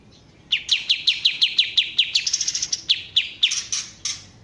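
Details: Kapas tembak bulbul giving a quick run of sharp descending chip notes that flows into a higher, slightly buzzy trill, then several spaced chips and harsher notes at the end.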